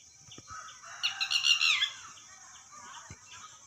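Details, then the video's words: A single harsh, rapid burst of shrill, downward-sliding notes from a red-wattled lapwing lasting about one second, set against steady background hiss and a few faint knocks. "Red watteld bird sound tatteri"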